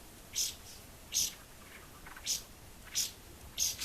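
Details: White-browed laughingthrush around a house giving sharp, high, scratchy single notes roughly every second, with a doubled note at the end and quiet background between calls.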